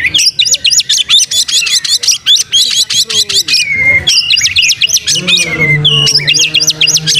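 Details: Oriental magpie-robin lure song meant to provoke tail-opening singing: rapid repeated high squeaky figures about four per second, a long falling whistle, then more bursts over a steady low droning tone.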